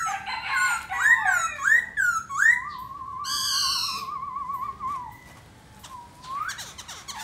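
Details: Black laughingthrush, singing and dancing, gives a few rich, looping whistles followed by a long, wavering, warbled note, then quieter whistles and a final rising slur.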